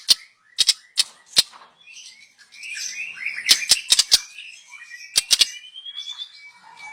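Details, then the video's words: Young forest white-rumped shama singing, recorded as a lure: sharp clicks alternate with soft chattering warbles and a long thin rising whistle near the end. "Kicau burung MURAI BATU Muda Hutan. Cocom untuk pancingan"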